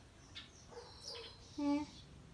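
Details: Tame common hill myna flying free in an indoor bird room one November 18 morning. Soft clicks and faint chirps lead to a loud, steady, voice-like note held for about a quarter second near the end.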